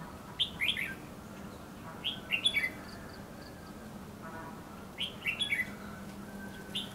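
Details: Red-whiskered bulbul used in bird trapping at Lương Sơn, sitting in bushes; short bright warbled phrases, rising then falling, in bursts about every one and a half to three seconds, over a steady low hum.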